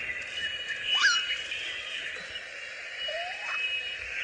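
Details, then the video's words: African grey parrots give two rising whistled calls, one sharp and high, one lower and slurred, over a steady hiss of insects; recording sounds like a Central African rainforest. "And we're listening to African grey parrots at the moment."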